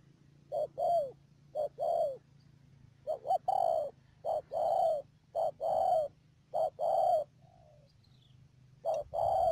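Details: Decoy spotted dove used for trapping in the Mương Điều area, Đầm Dơi, Cà Mau, March 2019; repeated rough coo phrases, each a quick note or two before a longer descending coo, over a low steady hum.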